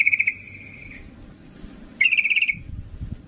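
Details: Female yellow-vented bulbul calling the male: a quick burst of notes trailing into a long steady whistle, then a second fast bubbly run about two seconds later.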